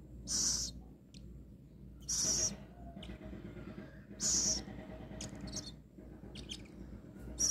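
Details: Captive rescued little owl before a feed gives loud wheezing hisses roughly every two seconds, with faint ticks and soft scratchy sounds in the gaps.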